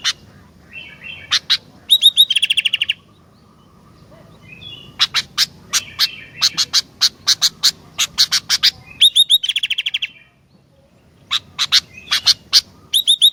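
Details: Energetic Sooty-headed bulbul song mixing brief warbled phrases with rapid rattles of ringing notes. Many sharp, snapping clicks are repeated in bursts between phrases.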